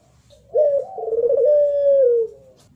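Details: Barbary dove (Streptopelia risoria), a competition-type puter bird, gives one low, drawn-out coo lasting nearly two seconds, opening with a quick fluttering roll, then holding a steady tone that falls softly at the end.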